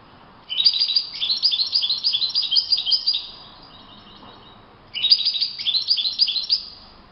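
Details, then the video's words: Wild European goldfinch singing in open nature: two bursts of fast, liquid twittering, the first about three seconds long, the second starting after a pause of over a second, with bright jumbled notes throughout. "chant chardonneret le Roi de la nature- Le chardonneret en pleine nature"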